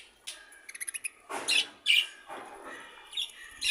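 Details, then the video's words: A half-tame budgerigar chatters: a quick run of thin ticking notes, then harsh, buzzy squawks and chirps in irregular bursts. "টেম বাজরিগার || Half tame bird"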